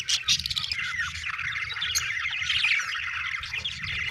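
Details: Budgerigars chattering together in a dense, continuous stream of warbled chirps and squawks, with a few sharper notes near the start and a low rumble underneath throughout.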